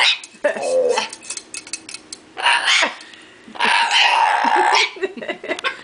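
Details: A pet bare-eyed cockatoo (little corella) being entertained with a can gives three loud, harsh, rasping screeches, each about half a second to a second long, with metallic clinks and clatter between them.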